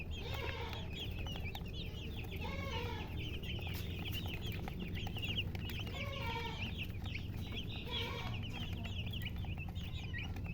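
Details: Colored chickens with a hen chirping: dense, high, quick peeps repeated throughout, mixed with a few lower, softer clucking notes and steady low background rumble.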